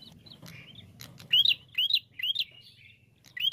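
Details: A quick run of four rising chirped notes, roughly two per second, sung by a bar-winged prinia in a recording meant as a lure to make birds sing, with low rumbling background noise.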